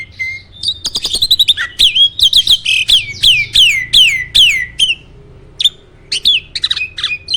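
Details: Competition starling kept in Indonesia: rapid clicking rattle, then a long series of loud falling whistles at roughly two or three per second, followed by scattered sharp chirps and short pauses, a loud song said to rouse other birds.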